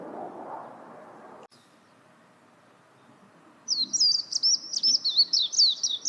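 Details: After several seconds of quiet background murmur and a click, a warbling white-eye starts a quick, high, wavering twitter of looping chirps that continues to the end.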